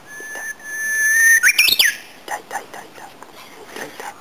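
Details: A Japanese bush warbler hidden in bushes in a nearby park sings close at hand: a long, level, pure whistle that swells, then a rapid warbled flourish sweeping up and down, followed by faint scattered notes from the surroundings.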